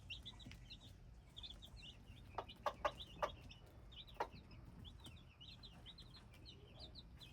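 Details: Hybrid chicken chicks peeping together: a steady stream of short, high, downward-slurred cheeps from several birds, with a few sharp knocks and clicks near the middle and a low background rumble.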